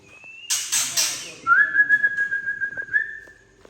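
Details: Rough 'trek kasar' from a Tangse-origin white-rumped shama, aimed at stimulating juveniles: a thin high whistle, three loud rasping chacks, then a sustained level buzzy trill.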